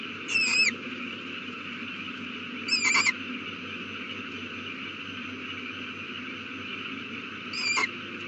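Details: Evening at an owl nest where a chick has newly hatched, April 2019: three brief, harsh calls at uneven intervals of two to four seconds, with quiet hum between.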